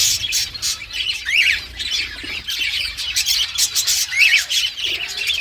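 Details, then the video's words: A pet green ringneck talking parakeet chatters in harsh, high squawks and chirps, with a few rising screeches spaced irregularly across several seconds; rose-ringed parakeet. "So Much Talkative Green Ringneck Talking Parrot"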